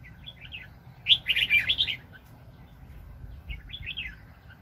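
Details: Red-whiskered bulbul, an aggressive wild bird, at a 2020 trapping session. A soft lilting phrase is followed by a loud, fast, jumbled warble lasting about a second, then softer rolling notes.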